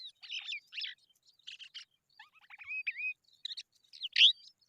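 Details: Eurasian skylark chicks in the sun: a loud, varied string of sharp chirps and short rising and falling whistles, some in quick clusters, with brief pauses between bursts.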